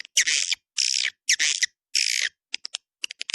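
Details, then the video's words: Four drawn-out, grating buzzes from a swiftlet lure recording in the 'Dua Bidadari' style, used to bring in swiftlets, then a sparse series of crisp high clicks. "SUARA PANGGIL WALET DUA BIDADARI RESPON TERBAIK DI AREA CENTRAL WALET"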